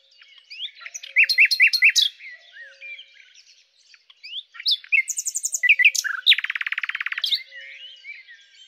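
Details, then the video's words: Song of a common nightingale, Luscinia megarhynchos: quick upslurred notes repeated in a short series, scattered twitters, a high buzzy phrase, then a loud fast rattling trill. "#Common_Nightingale (Luscinia megarhynchos)"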